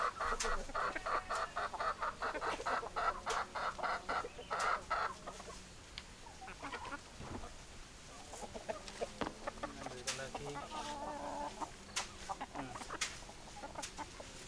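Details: Hens clucking, a rapid busy stream of short clucks that grows quieter and sparser toward the end, over a hissy background.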